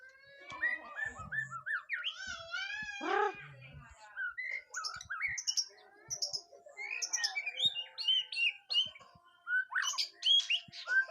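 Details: White-rumped shama on its first mental test, singing a varied run of whistled phrases: rising and falling slurs, quick trills and scattered sharp chips, with brief clicks and thumps in the background.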